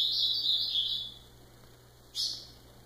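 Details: Ultramarine grosbeak giving a high warbled phrase of slurred whistles that fades out, followed by a single short bright note after a pause, over a low steady hum.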